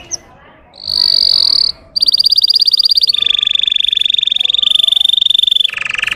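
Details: Russian canary song used as a lure to rouse trainee canaries: a brief high whistle, then a steady buzzy trill, a fast pulsed roll and a long even rolling trill, ending in a lower, rougher buzz.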